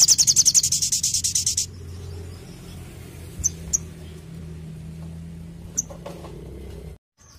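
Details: Orange-headed thrush in active song (sogon gacor) opening with a rapid, high-pitched volley of pulsed notes lasting over a second and a half, followed by a few isolated soft ticks against a steady low hum.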